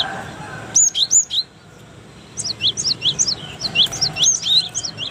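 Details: Cinereous tit, Indonesia, sung as a master song for other birds: three loud high whistles, a brief silence, then a quick flowing series of bright falling chirps.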